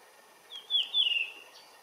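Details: Blue rock thrush at its regular perch: one brief clear whistled phrase, a short note followed by a longer, slightly falling fluty warble, over faint steady background hiss.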